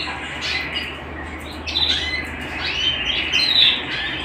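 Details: Canary at home singing softer, wavering whistled notes that swell into brighter, higher trilled phrases toward the end.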